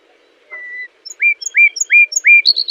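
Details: Nightingale singing, chosen as tutor material for canaries: a level whistle, then four quick rising notes in even repetition, ending on a short run of thin, buzzy high-pitched notes.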